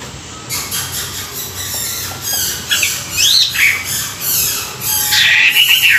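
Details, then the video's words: A Chinese hwamei singing in the morning sings loud, slurred whistles sweeping up and down, broken by harsh, buzzy bursts in a fast, uneven run of phrases. "luyện giọng họa mi họa mi hót buổi sáng"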